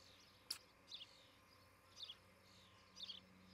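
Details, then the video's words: Osprey at a new nest near treetops in Charlo, Montana, recorded by a nest camera on 07-11-2018 in the morning while the pair builds the nest and mates. Three short, high chirping bursts about a second apart, with a sharp click just before them. "Osprey Nest - Charlo Montana Cam"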